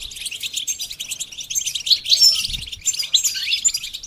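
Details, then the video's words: Goldfinch song used for training a bird to sing: a continuous high, tinkling twitter of quick varied notes that swells around the middle of the clip and carries on without a pause. "The basics of training the goldfinch to sing"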